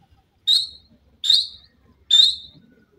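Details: Partridge pair, called dakhni titer and irani teetar, with three loud sharp high whistled notes, each slightly falling, evenly spaced about every 0.8 seconds.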